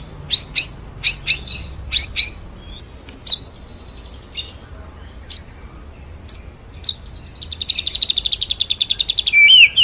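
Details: White-rumped shama in full rolling song for training birds: repeated sharp chipped phrases, scattered single clicks, then a fast buzzy high trill closing with a slurred whistle.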